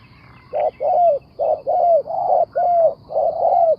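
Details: Spotted dove kept as a decoy for bird trapping, giving low mellow coos in paired phrases: a short coo followed by a longer drawn-out one with a slight falling end, repeated about every second over a quiet background.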